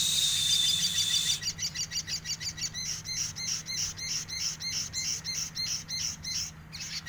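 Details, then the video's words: Olive-backed sunbird (sogok ontong) in lively gacor isian song: an opening high buzzy burst, then a steady series of sharp, high chipping notes, about four per second, ending in a brief rattle. "burung sogok ontong gacor isian"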